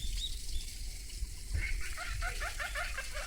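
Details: Ducks on a pond suddenly breaking into a fight after a calm moment: a burst of splashing and flapping, then a quick series of short, rough, nasal calls repeated several times a second, with water noise and low rumble behind.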